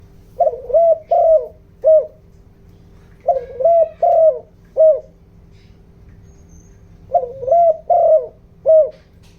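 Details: Spotted dove decoy bird in the 'giọng đồng' voice, calling to excite wild doves. Three phrases of mellow, husky coos, each three to four notes with the last note separate, spaced about three seconds apart, over a faint steady hum.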